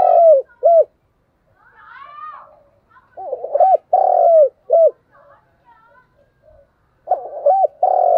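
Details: Vigorously cooing decoy spotted dove gives low, husky phrases: quick rolling notes, a drawn-out falling coo, then a short clipped closing note, repeated three times, with faint higher twittering between phrases.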